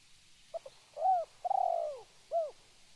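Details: Spotted dove calling, a clear sequence of soft coos: two tiny opening notes, a rounded coo, a long drawn purring note, then a short closing coo.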